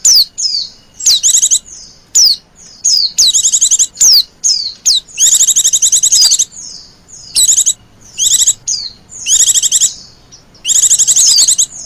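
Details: Lure sound for attracting wild white-eyes: repeated high-pitched chattering bursts of fast pulsed notes, interspersed with brief thin downslurred whistles, delivered in an uneven stop-start rhythm.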